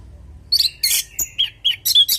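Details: Orange-headed thrush singing as a lure to draw replies from other birds: a run of short, loud, high whistled and chirped notes, some slurred and buzzy, in quick irregular bursts over a faint low hum.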